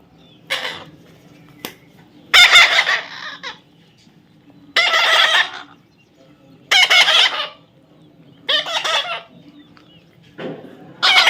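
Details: Baby parrot repeatedly screeching: about six harsh, buzzy squawks of varying length at irregular intervals of one to two seconds, over a quiet indoor background.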